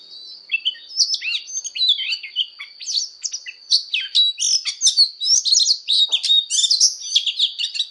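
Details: Oriental magpie-robin in full fighting song during voice training: a long, dense stream of fast chirps, trills and slurred whistles that grows busier and louder toward the end, with a steady high whine behind it.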